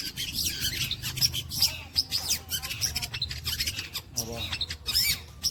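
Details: Long-tailed shrike mimicking kuntilanak, greja, petir and walang kecek: continuous rapid scratchy chatter with sharp whistled squeaks and sweeping notes, briefly broken by a low buzzy rattle.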